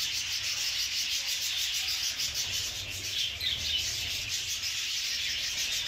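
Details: Budgerigar chicks found in a nest, whose beaks looked very strange, give a steady raspy, hissing chatter pulsing about three times a second, with no other clear sounds.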